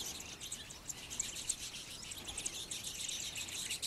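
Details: Citron-headed yellow finches, a pair and flocks, in Yavi, Jujuy, Argentina, in May 2015, courting and feeding; dense, overlapping high chirps and twitters form a continuous rapid chatter with no other clear sounds.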